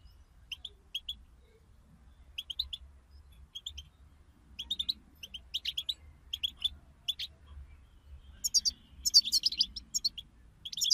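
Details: European goldfinch group song used for stimulating goldfinches: sparse paired high chirps at first, growing busier, ending in a dense, shimmering twitter burst, with faint low hum throughout.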